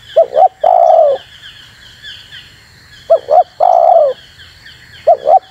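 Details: Luring call of a spotted dove meant to draw in wild doves: paired short coos then a long mellow coo, the pattern repeating about every two and a half seconds, with thin high chirping in the background.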